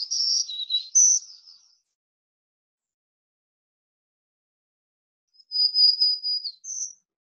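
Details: A black-throated green warbler sings in hardwood forest at about 1,500 feet on Mt Abraham, western Maine, in June: two high, buzzy phrases of five or so notes, like 'zee zee zoo zoo zee', a few seconds apart.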